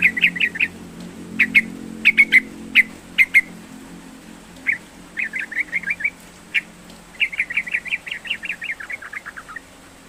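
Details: Yellow-vented bulbul singing vigorously, meant to coax a silent bird into song: clusters of quick chirps and sharp notes, then longer rapid chattering phrases, with some notes sliding downward near the end.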